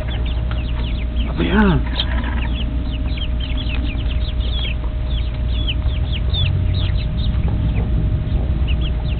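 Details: Mixed Silkie chicks, a cross of a black Silkie hen with an Easter Egger rooster, kept for sale: many short, high, downward-sliding peeps in quick succession over a steady low hum, with one louder, lower call near the start.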